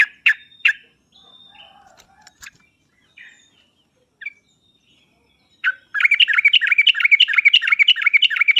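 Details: Sooty-headed bulbul song played as a lure for a bird slow to sing; scattered sharp chirps and faint notes first, then a loud, rapid, steady run of repeated bubbly notes to the end.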